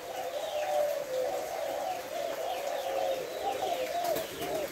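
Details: Còi kim spotted dove on 3 August calling with a five-note coo, the hậu 2 style: low mellow cooing syllables strung together in an even phrase, partly masked by heavy background hiss.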